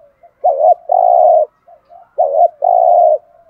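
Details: Spotted dove 'thúc gù' cooing to provoke other doves: a wobbling two-part coo and a long even coo, given twice in quick succession.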